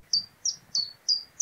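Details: Common chiffchaff (Phylloscopus collybita) sings its two-syllable chiff-chaff song: bright, high notes slurring downward, about three per second in a very even rhythm, over a faint low background rumble.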